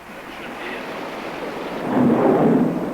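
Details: Loud rumbling wash of wind or surf swells up in the second half, a dull roar with no animal voice.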